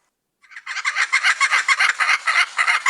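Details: Australian kookaburra giving its famous laughing call, likened to human laughter or a long cackle: rapid rhythmic bursts of harsh chuckling notes that speed up and grow louder, about five bursts a second.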